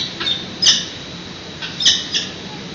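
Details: Peregrine falcon chicks at a San Francisco nest during a morning feeding on 13 June 2017, webcam audio: a few scattered, thin, high squeals with quiet stretches between.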